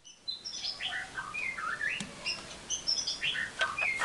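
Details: White-rumped shama song used as a lure track meant to provoke other shamas into answering and getting agitated: a lively run of varied clear whistles and short chirps, shifting between high and middle pitches, with a faint background hiss.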